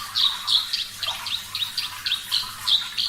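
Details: Javan bush lark, Parva type, singing a rapid series of short, high chirping notes, about three or four per second, slightly blurred and uneven in rhythm.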